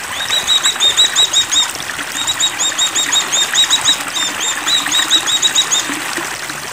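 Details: Energetic high-pitched twittering from an Oriental white-eye in breeding condition, three long rapid phrases nearly joined together, accompanied by the sound of running water.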